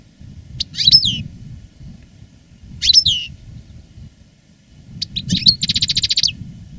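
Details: Veteran caged European goldfinch, a master bird in song after the moult, giving sharp sweeping chirps at intervals, then a twittering phrase closing in a quick regular buzzy rattle, over a low hum.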